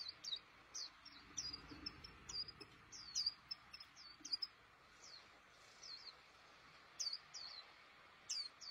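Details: A white-eye (pleci) sings busily in its cage. Sharp, very high chirps and short twittered bursts come in quick clusters separated by brief pauses. A faint low rumble sits underneath.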